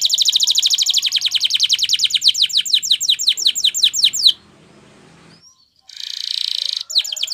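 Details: Canary training song: a rapid run of descending whistled notes that slows slightly, then a pause with faint rustling and a brief buzzy rattle as the singing resumes.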